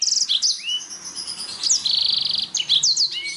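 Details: Canary song meant to stimulate other songbirds. A quick trill opens, then upward-sweeping whistles follow. A long, even, rattling roll of repeated notes runs for about three-quarters of a second before more sharp chirps.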